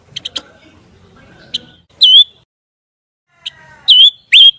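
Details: Scarlet minivet, in a recording made to teach white-rumped shamas new sounds. After a few soft clicks, three clear, sweet upslurred whistles ring out, one alone and two close together near the end.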